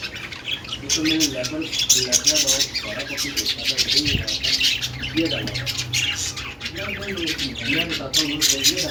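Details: Busy budgerigar chatter: rapid twittering, clicking and squeaky notes packed closely together, with a short thump midway and faint wavering lower tones in the background.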